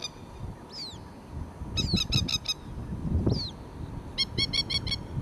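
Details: Female Masked Lapwing (Spur-winged Plover) at her ground nest gives urgent warning calls as a dog appears in the distance. Two bursts of rapid, harsh, stuttering notes, interspersed with thin, high, downslurred whistles over a low rumble.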